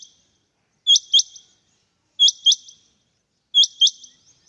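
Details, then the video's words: Three crisp double calls from a male rain quail, each a pair of piercing high notes in quick succession, repeated at a steady pace in near silence. "Rain Quail (Coturnix coromandelica) - Males calling"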